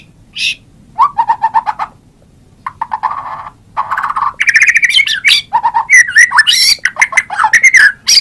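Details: White-rumped shama song: varied phrases, with a brief high note burst, then repeated lower warbled chatters that give way to louder, sweeping whistles and harsh notes mixed in fast succession toward the end.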